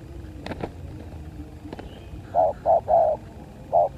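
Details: ['Spotted dove in a fight: a few sharp clicks and knocks first, then low hollow coos in a group of three with the last one stretched, and a fourth coo after a pause.']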